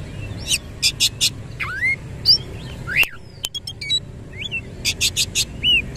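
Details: Oriental magpie-robin singing energetically in the 'nembak ngerol' style with its tail spread: loud whistled slurs sweeping down and up, mixed with rapid buzzy bursts in groups of three or four. There are sharp clicks midway and a low rumble behind.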